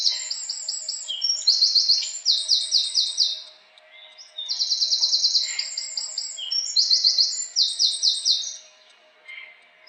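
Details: Bubbly, tumbling house wren song: fast series of high trilled notes shifting pitch within each phrase, two long phrases separated by a brief quiet gap.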